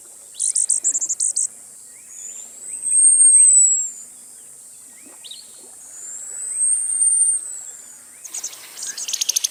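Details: Costa's hummingbird song: a series of high clipped chips, then two long, thin, drawn-out whistles that rise and fall, separated by a pause, ending with another burst of sharp high ticks.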